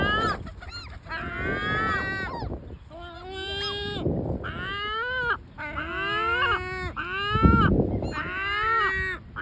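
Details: Repeated drawn-out, strained complaining calls of great black-backed gulls, roughly fifty a minute and irregular, overlapping one another above a steady low background noise.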